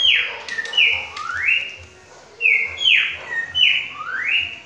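A cockatiel whistles a copied saltator phrase: loud, clear notes that slide down, then sweep upward, repeated twice in under five seconds.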